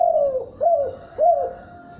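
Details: Spotted dove giving a 'thúc bổi' cooing sequence of three low, hollow, downward-curving coos spaced about half a second apart, then a faint steady tone in a quiet background.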